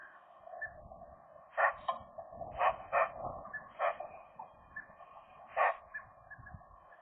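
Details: Eurasian magpies, a young couple, voicing and singing softly while flirting inside the nest in January; harsh mid-pitched chattering notes in irregular bursts, several louder accented calls about once a second.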